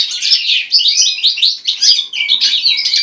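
A goldfinch-linnet hybrid sings a fast, unbroken run of bright twittering and tinkling notes, with quick trills and short buzzy phrases. No other sounds are heard.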